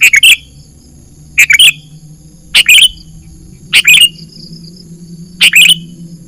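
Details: Lure call of a sooty-headed bulbul meant to draw in wild birds for trapping; loud, repeated chirp clusters roughly every second, sharp and slightly descending, with a faint low hum.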